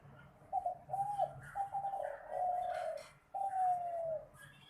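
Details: Spotted dove singing a competition-style song: short soft coos, then rolling mid-phrase notes and a long, smooth coo that sinks at the end, followed after a pause by a second long falling coo.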